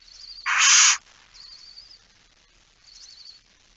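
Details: Barn owl at a nest box with young chicks, recorded at night on 13 September 2019. A single loud, breathy hissing screech is followed by quiet, quavering, high-pitched trilling calls repeated twice over the next few seconds.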